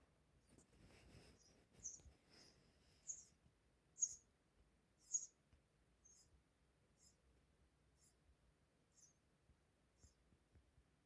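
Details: Hungry nestling house sparrows waiting for parents to come and feed them, giving sharp high chirps roughly once a second, a few louder peeps standing out among fainter ones, with a quiet background.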